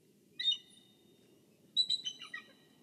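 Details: Bald eagle guarding its egg at the nest, Kisatchie National Forest nest camera: two bursts of high, thin, harmonic piping notes, the second a quick stuttering chatter that falls away, over a steady low rumble.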